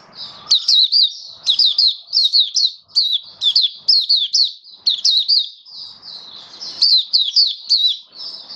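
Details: Hobby-kept oriental white-eye in a cage, 21 October 2022, first day on a song-display booster: lively high-pitched warbling made of quick looping chirps, sung in clustered bursts with short gaps, faint room noise beneath.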